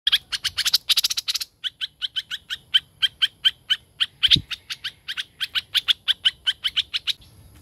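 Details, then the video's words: Caged decoy laughingthrush, a hoành hoạch thơm kept as a lure bird and described as very fierce. It sings a fast run of sharp, high, chirpy notes, first in a dense burst, then as a steady repeated series of clipped notes. "Hoành Hoạch Thơm Mồi Hót Líu Cực Đỉnh"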